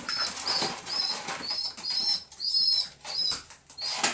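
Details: Baby rock pigeon pestering its parents for food, squeaking constantly; thin high squeaky notes repeated in rapid runs, mixed with loud wing flapping and rustling close by.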